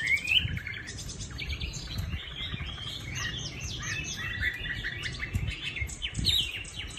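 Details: Caged Chinese hwamei in Định Công, Hanoi, Vietnam, pale-legged, delivering a continuous jumbled warble of quick varied whistles, rich and tumbling, with a few bright upslurred notes.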